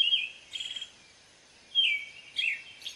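An American robin sings short, clear caroling phrases, some slurred downward and some warbled, at a mid-high pitch with brief pauses between them.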